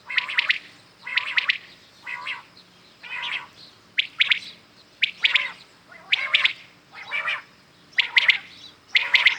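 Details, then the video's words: Morning chorus of common quails, with a string of rhythmic three-note bursts, sharp and high, coming about once a second, different birds answering one another. "Today common quails calling | شکار کے لیے اصل بٹیروں کی صاف آواز"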